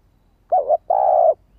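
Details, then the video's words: Single urging coo (thúc) of a female spotted dove, used to provoke males to respond quickly: a short wavering low note, a brief pause, then a longer even note. "Cu gáy mái thúc kích bổi nhanh nổi hiệu quả"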